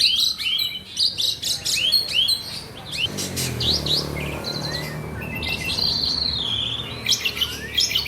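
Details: Asian pied starling singing on and on: a fast medley of whistles, harsh rattles and clicks, then long wavering whistled notes.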